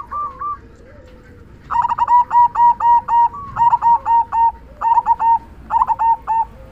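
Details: Zebra dove with a big 'kung' voice, meant to stimulate other doves to sing: after a brief soft coo, a fast steady series of full rounded coo notes in clustered groups, with faint lower cooing behind.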